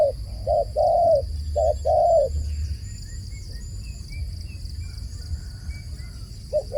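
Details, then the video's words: Dove cooing two phrases of short notes and longer coos, then falling quiet while faint high chirps from other birds continue over a low rumble. "សំឡេងលលកហៅបរច្រើន The sound of a dove calling"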